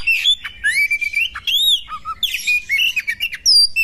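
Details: Oriental magpie-robin female in combat, mixing long clear whistles and a brief low double note with scratchy, noisy bursts, the phrases tumbling one after another.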